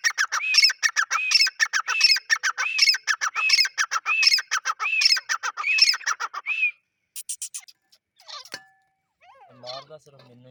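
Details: Male grey francolin calling: loud, ringing phrases, each a rising note trailed by harsh clipped notes, repeated about every 0.7 seconds for six seconds, then a few scattered chirps and clicks.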